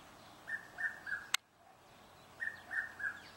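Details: Three-note whistled call of a Red-chested Cuckoo in a Pretoria garden, South Africa, given twice with the notes stepping gently downward; a single sharp click sounds between the two phrases.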